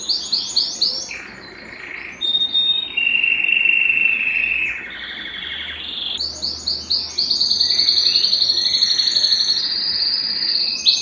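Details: Belgian canary song played to stimulate singing and bring females into breeding condition: continuous rapid trills and rolling phrases, high sweet warbles alternating with lower buzzy rattles, steady and loud throughout with brief pauses between phrases.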